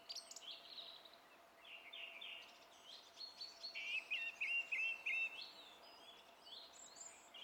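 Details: Song thrush song recorded 27 April 2016, with varied high chirps and whistles and a quick run of rapidly repeated notes midway, over steady background hiss.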